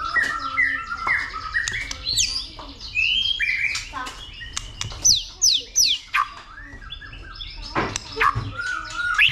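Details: White-rumped shama in fighting song stimulated by a female: busy mix of downslurred whistles, buzzy chatter and sharp clicks in quick irregular phrases.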